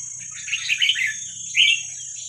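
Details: Wild Vietnamese red-whiskered bulbul, recorded for training young birds, gives a brief rolling warbled phrase followed by one bright whistled note, over a steady high-pitched whine.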